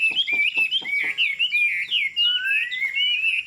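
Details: Tame Chinese hwamei, fig-leaf tail, singing from a high perch: quick clear whistled phrases that bounce between notes, ending in a long, smooth rising whistle.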